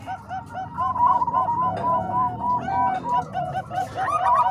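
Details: Bangkok and Cemani Kolbuntet zebra doves mixed as a training recording: a fast, steady run of short rounded coos from several birds, about four per second, with a low background rumble.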